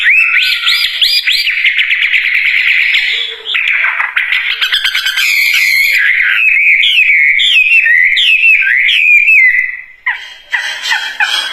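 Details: Wambie bird singing actively: a loud, varied run of clear whistled notes, rising slurs and quick chirps, with dense overlapping phrases early on, then a string of bright upward-flicking whistles and a short pause before renewed chatter.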